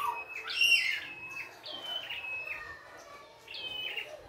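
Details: In the wild, a red-headed prinia delivers a lively song of bright whistled notes falling step by step, with a brief lower twitter at the start.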